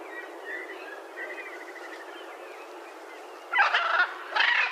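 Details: Macaw calling: a few faint, thin nasal notes, then loud, harsh, rasping squawks in two bursts near the end.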